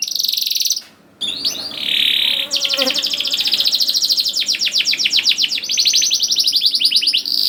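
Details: Canary singing to stimulate young birds into song: a buzzy trill, a short silence, a low rising whistle, then a long rapid rolling trill of sharp repeated notes.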